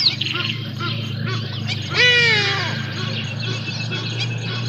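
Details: Juvenile Black Sparrowhawk hunting for lunch at Djuma Private Game Reserve on 5 January 2024, picked up by a live camera: one loud, harsh, descending squeal of about half a second, rich in overtones, over a steady chorus of small chirping birds.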